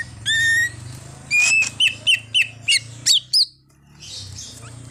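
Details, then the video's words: Greater green leafbird in full song, including an imitation of a car horn; a long level whistle, then a rapid run of clear downslurred whistled notes, ending in a buzzy burst, over low hum. "Cucak Ijo Full Isian_Ada Bunyi Klakson Mobilnya Juga"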